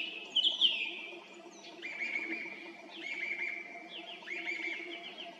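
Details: At 18:50 on an April evening in 2021, a song thrush perched atop a roadside tree near Zarechny repeats a short whistled phrase about once a second, each with a sharp rising start, after a brighter trilled opening; faint hum beneath.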